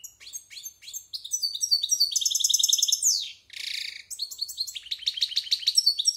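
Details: European goldfinch about a year old, kept for silvestrismo song training, practising its varied song: rapid high twittering phrases, buzzy trills and repeated tinkling notes tumbling together, with a short harsh buzzy note midway; no other sounds.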